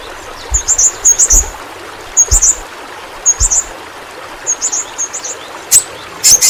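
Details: Pentis pelangi flowerpecker, a small Kalimantan fruit-eater, heard in a bird-training track: repeated clusters of shrill buzzy twitters about every second, with soft low knocks and a faint watery hiss.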